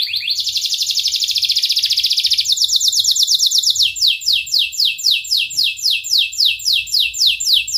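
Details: Canary in extended song, used as therapy for canaries that have stopped singing: a dense buzzy trill for over two seconds, then a steady chain of sweeping whistled syllables repeated about four times per second.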